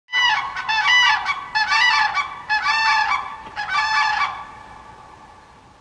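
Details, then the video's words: A crane gives four loud, rolling, trumpeting calls over about four seconds, each burst harsh and rattling, before fading to a quiet background. "Nature sound Crane"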